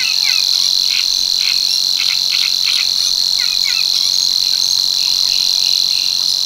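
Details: Savi's warbler singing at Tancat de l'Illa in l'Albufera, where it returns from March to breed; a steady, high, buzzing reel holds unbroken for the whole stretch, with scattered lower chirps from other birds behind it.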